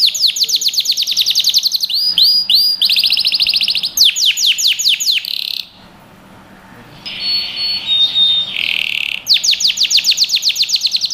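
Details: Canary song made to train young birds: high trills and sweeping notes, a near-silent pause of about a second, thin steady whistles and a buzzy phrase, then the rapid trill resumes.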